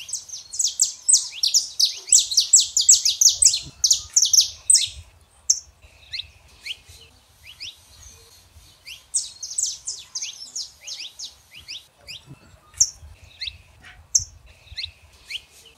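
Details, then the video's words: Male and female saffron finches in a rapid burst of high, sharp downslurred chirps. The song thins to scattered notes, then a second fast run and a few isolated chips follow. "canário da terra fêmea e macho pra esquentar seu canário frio"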